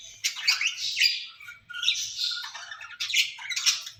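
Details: Two caged ringneck parrots, said to be talking to each other, give harsh, scratchy squawks and chattering bursts in quick runs with short pauses between phrases.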